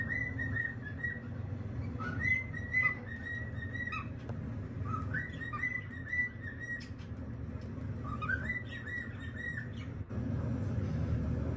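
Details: Cockatiel repeating short whistled phrases in clusters, each phrase made of level and slightly wavering notes with brief breaks between bursts, accompanied by a continuous low rumbling hum.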